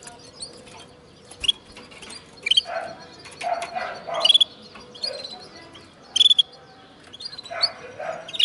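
A linnet-canary hybrid sings in short bursts of bright, high chirps and twitters, broken by scratchy lower notes, with faint clicks in the background.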